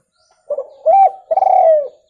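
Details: Spotted dove, a clear call recording meant for luring birds: a short soft coo, then a stressed arched coo and a longer, slightly purring, falling coo, all low and hoarse.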